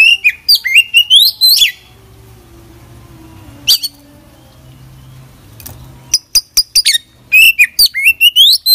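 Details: Vigorously singing magpie-robin with a varied, filled song: rising whistled runs and chirps, a long quiet stretch with low droning hum, then sharp ticking clicks and a fresh tumble of twittered whistles.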